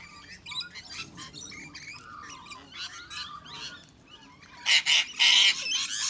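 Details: Rainbow lorikeets bullying much bigger birds such as sulphur-crested cockatoos and bush turkeys: scattered high chattering notes, then three loud, harsh, broadband screeches close together near the end.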